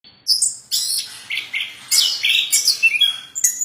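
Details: Plontang bird in lively, steady song: a run of high, sharp chirps and short whistled phrases, some dropping in pitch, delivered in quick bursts with brief gaps and no other clear sounds.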